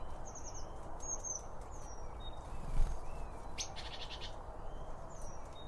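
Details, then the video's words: Eurasian blue tit among other birds at a feeder. Fast trilled high notes and short slurred whistles are followed by a quick ticking burst, all over a low steady rumble and one brief thump. "Bird Feeder Sounds - Blue Tits and other birds"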